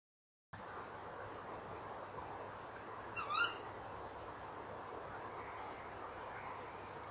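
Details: At a nest box on a November evening in 2013, a tawny owl gives one brief, sharp, upward-sweeping call midway, after a moment of silence. Steady background rumble throughout.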